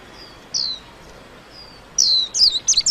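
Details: White-eye delivering a couple of isolated high, falling whistles, then a brief flurry of quick twittering notes at the end.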